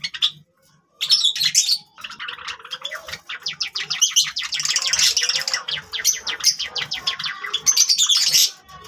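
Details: Java sparrows playing with grass, giving dense runs of sharp, high chirps and clicking notes that build into a rapid, continuous chatter, with short pauses near the start.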